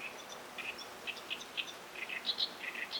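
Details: Great Reed Warbler calling somewhat distantly over a high-tide tidal flat where mudskippers are present; soft croaking double notes and thin higher squeaks in a loose, uneven series against steady background noise.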